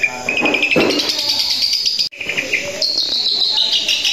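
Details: Long-tailed shrike singing energetically while perched in one spot: loud, harsh, scratchy phrases mixed with high sliding whistles and chattering notes, continuous apart from a brief break midway.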